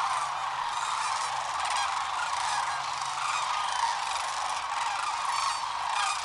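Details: Sandhill cranes by the hundreds taking off at morning liftoff on the Platte River in Nebraska, Rowe Sanctuary; loud massed rattling bugles blend into a steady wall of sound, with sharper individual calls rising above it throughout.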